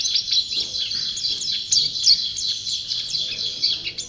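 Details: White-eye (pleci), a champion singer, delivering an unbroken, high-pitched twittering of quick thin chirps and short slides.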